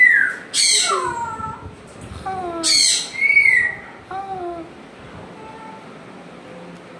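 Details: Household African grey parrot alternates two harsh broadband squawks with falling whistled notes, some in pairs, then trails off into fainter descending whistles.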